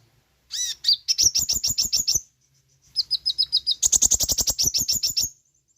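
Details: Sooty-headed bulbul song used as a lure to train caged birds and get them singing: two bursts of rapid, sharp, high chirps, each run of clipped notes repeated several times per second, with brief whistled notes between them and no other sounds.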